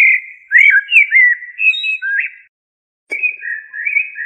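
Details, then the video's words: A common blackbird sings mellow, fluted whistles with quick rising and falling slurs, in two phrases separated by a short pause, with no other sounds. "تغريد طائر الشحرور"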